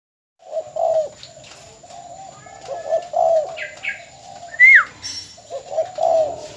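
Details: Captive spotted dove decoy bird from Bến Tre, Vietnam, filmed as a farewell after being sold, gives low mellow cooing phrases in a repeating series; a brief rising-falling chirp from another bird cuts in midway.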